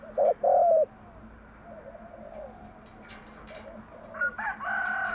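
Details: Spotted dove cooing in the morning, a patterned song played to lure and train doves: a loud coo phrase at the start, then fainter soft coos, with other small birds chirping and whistling near the end.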